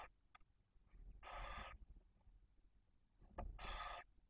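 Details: Barn owl at the nest in Cabañeros National Park, Spain, as the female handles a stored mouse near her chicks. Two drawn-out, snoring hisses about two seconds apart, over faint scratching and movement.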